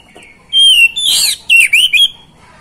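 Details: Oriental magpie-robin song used as a lure to make silent, lazy magpie-robins sing: a long steady whistle, then a harsh buzzy burst and a few quick, dipping whistled notes, with clean, quiet background.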